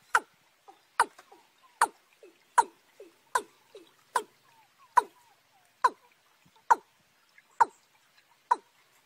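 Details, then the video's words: Young watercock paired with a wild field watercock in March: steady run of about twelve sharp, clicking, downward-sliding notes, one every three-quarters of a second, each trailed by small soft notes. "cúm núm gà tơ kẹp với cúm núm gà đồng tháng 3"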